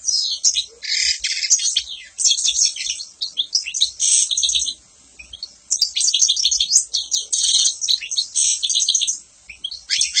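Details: Lively European goldfinch song: tumbling phrases of high, buzzy twitters and tinkling notes, broken by short pauses around the middle.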